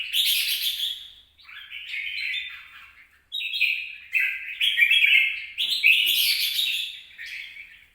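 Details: Red-whiskered bulbul song, 26 April 2022: phrases of fast, slurred, chirpy notes in bursts of one to two seconds, separated by short pauses, some stepping downward in pitch.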